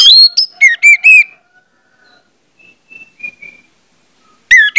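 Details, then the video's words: Orange-headed thrush song used as a lure to prompt other orange-headed thrushes to sing: a quick run of loud, bright whistled notes, a few faint soft notes after a pause, then another loud whistled burst. "pancingan anis merah bikin anis merah lain cepat ngeplong"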